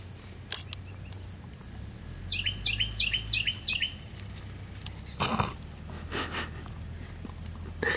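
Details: Bird chirp heard as sounding like "stupid": a run of four fast, sharply falling two-note chirps midway, set among scattered clicks and knocks, faint insect-like ticking, and steady outdoor background noise.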